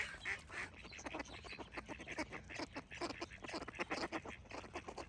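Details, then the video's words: Rough, nasal duck quacks come thick and fast, overlapping in uneven clusters across the whole stretch, with little other sound beneath them. "Cute Ducks Quack Sound Effects with Birds Singing"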